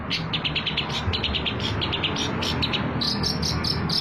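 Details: Cendet, or long-tailed shrike, lure song for trapping: quick clusters of bright chirps and mimicked insect-like buzzing notes, ending in a series of high, evenly spaced ticks, with low rumbling noise behind.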